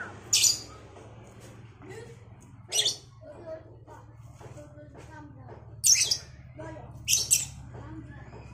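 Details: Morning exchange between Cobalt and Batman lovebirds: loud, piercing shrieks burst out every one to three seconds over a steady low hum and faint background murmur.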